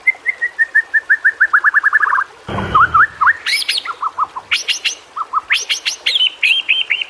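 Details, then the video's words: White-rumped shama (murai batu) singing on a master track for shama training: a series of short whistles speeds up into a fast run, then a brief noisy burst, followed by varied slurred whistles and sharp high notes. "masteran burung murai. mewah awas! kesurupan"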